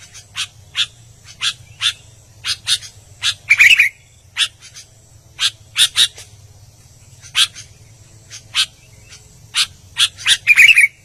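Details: Energetic song of an albino sooty-headed bulbul: irregular dry, harsh notes scattered through the phrase, twice rising into a quick fluty warble, with a faint background hum.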